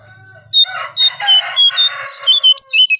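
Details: Striped tit-babbler lure song: a brief burst of mixed chattering, then a string of clear, high, whistled notes repeated about three to four times a second, with a faint low hum at the start.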